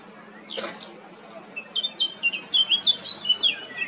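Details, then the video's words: Eurasian blackcap male recorded 20 July 2022 at Baška, Krk island, Croatia, opens with a sharp scratchy note, then builds into a fast, rich warble of fluting whistles that grows louder toward the end. "Crnokapa grmuša, mužjak (Sylvia atricapilla)(Birds of Croatia- Blackcap, male)"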